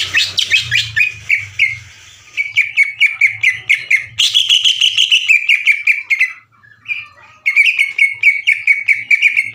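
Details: Long 'ngekek' chatter of a vocal greater green leafbird, compared to a sewing machine and used to spark other leafbirds: dense strings of rapid, metallic repeated notes with brief pauses, a low hum in the opening seconds.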